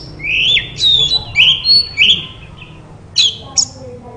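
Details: White-rumped shama therapy sound meant to make a silent bird respond; a few long slurred whistles and a squawky rising note, then two sharp high chips after a pause.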